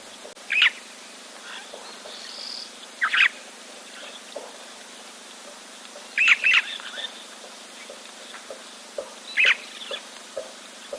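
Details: Red-billed buffalo weavers (Bubalornis niger) nesting in a tree above a waterhole camera in Africa, 5 March 2024: harsh, squeaky chattering bursts about every three seconds, some doubled, over a quiet outdoor background with faint ticking.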